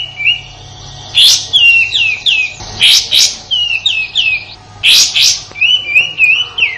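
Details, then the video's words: Indonesian sooty-headed bulbul singing its harsh 'tembakan kasar' shooting song, kept as a master for training white-rumped shamas: three loud rasping bursts, each followed by quick chains of bright downslurred whistles. "Suara tembakan kasar kapas tembak"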